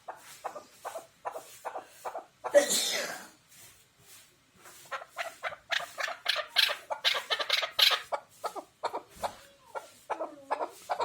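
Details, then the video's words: Chukar partridge, kept as a hunting partridge, calling in repeated dry clucking chuk notes that build into a fast, loud rolling series after a brief noisy burst and pause, then trail off with softer notes. "Овози кабк, Keklik, Кеклик"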